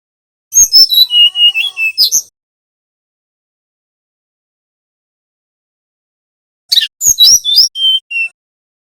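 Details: Bali-type brown-chested jungle flycatcher in nyiul/nyuling style, meant to lure young speckled birds into singing: two high, quick phrases of tumbling whistles ending in level notes, separated by about four seconds of silence.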